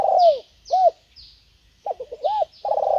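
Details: Spotted dove working as a decoy to attract wild birds: a falling purred coo, an arched hoot, then a stuttering burble, another hoot and a rolling purr, over soft high chirping insects.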